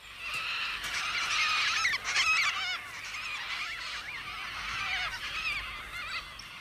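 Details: Several Major Mitchell's cockatoos in Australia, feeding on paddy melons, give harsh, wavering, quavering screeches, the birds overlapping in a near-continuous chorus with brief lulls.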